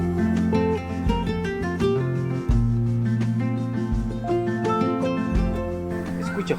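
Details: Flamenco-style acoustic guitar music with plucked strings and deep bass notes, a voice faintly mixed in, and no animal sounds.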